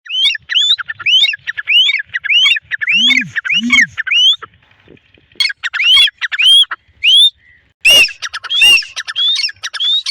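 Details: Pair of grey francolins calling in a field during the breeding season: rapid bursts of harsh, rising squawky notes, irregularly spaced, with a few lower croaking notes and a loud broadband crack near the end.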